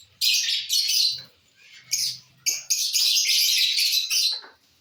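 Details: Lovebirds munching corn, with sustained loud, high, raspy chattering calls in long phrases and a brief low rumble in a pause.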